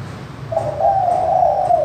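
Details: Spotted dove with a clear crystal manggung voice, used to lure lazy doves into calling: a single sustained mid-pitched coo lasting over a second, starting softly and swelling slightly, with a faint low hum underneath.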